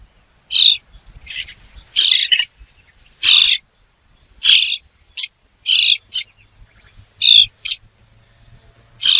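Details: About ten harsh, grating bird calls come at uneven intervals, some doubled, while a faint low hum runs underneath.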